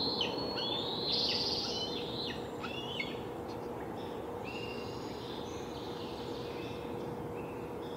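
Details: Bald eagle nestlings begging at a Delta nest on July 12, 2020, just before fledging, hungry and flapping. Thin, high squealing whistles come in short bursts, loudest early and then sparser and fainter, over steady background hiss and a faint constant hum.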